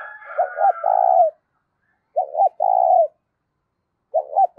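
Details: Spotted dove coos for exciting decoy birds, loud with little noise: low phrases of two clipped notes and a longer held note repeat roughly every two seconds, with a faint higher trilling call at the start.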